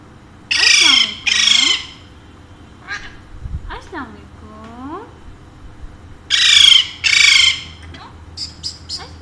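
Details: Two pet Alexandrine parakeets, said to talk in Urdu and Hindi, give paired harsh, loud squawks with softer curving, voice-like tones between them, while a person speaks to the birds nearby.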